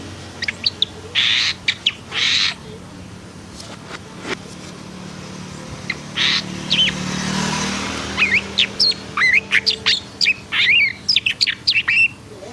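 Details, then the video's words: Black-and-white long-tailed shrike in an agitated, excited state: harsh rasping bursts come first, then a rapid run of varied sharp chirps and short whistled notes over a steady low engine hum. "KICAUAN BURUNG PENTET HITAM PUTIH & EMOSI"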